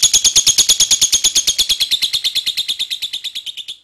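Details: Long chattering lovebird song meant to draw other lovebirds into singing; a fast train of sharp high notes at a steady beat, gradually fading in loudness toward the end.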